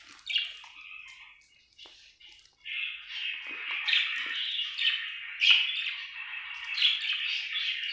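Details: Budgie chirping happily, soft scattered chirps at first, then a sustained scratchy warble with louder squawk-like accents in the second half.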